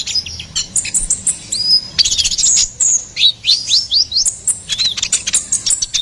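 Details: Ruby-cheeked sunbird giving gacoran song for songbird masteran and luring: a fast varied stream of high chips, sharp upslurred and downslurred whistles and short trills, loud and busy throughout.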